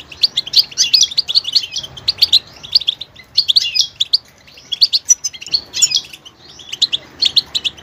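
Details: Goldfinch twittering in fast bursts of high, tinkling and slurred notes, separated by short gaps, showing a varied singing style with added vocal details.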